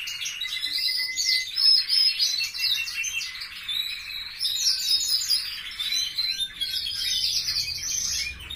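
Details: Captive canaries singing in a family aviary: fast warbling trills and chattering runs, high and bright, flowing with little pause, several birds overlapping.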